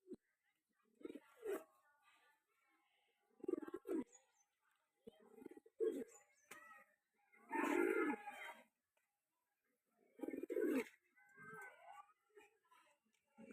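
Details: Two domestic pigeons, of the breed named Metraj, give low, throaty coos in short rolling bursts with quiet gaps between.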